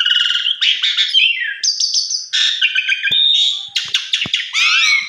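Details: Jalak suren, the Javan pied starling, singing a full varied lure song: dense harmonic squawks, sliding whistles and high rattling phrases delivered almost continuously with brief pauses.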